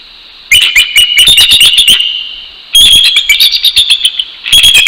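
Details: A bald eagle pair at a Northeast Florida nest, dawn of 12 January 2019, calls together to assert territory: two long runs of high, stuttering, squealing notes separated by a brief pause, then a third run beginning.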